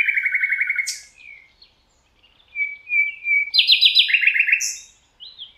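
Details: A Common Nightingale singing in the Rawka river valley, Poland: rich phrases of rapid machine-gun trills of repeated notes, a slurred whistle, then sharper rattling bursts and high sweeping notes, with no other sounds.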